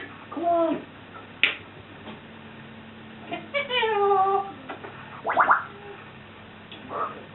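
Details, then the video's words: Indoor pet African grey, a swearing bird that also mimics burps and farts, gives a run of varied vocal sounds: short harmonic calls, a sharp click, a long downward-sliding nasal phrase, then a rising squawk. "Swearing African Grey Burping & Farting"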